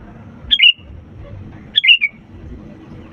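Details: Sooty-headed bulbul in full song, recorded as a lure to get reluctant birds singing: two clear whistled phrases, each a high note dropping into a short slurred tail, over a faint low hum.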